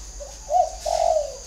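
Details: Caged Spotted Dove kept as a decoy bird, described as having a whistle-like voice: a soft short note, then two longer, mellow cooing phrases in quick succession, over a steady faint background hum.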